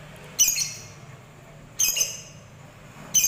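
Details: Lovebird, a fighter type, giving three loud, harsh, high screeching calls, each under half a second long and about 1.4 seconds apart, over low background noise.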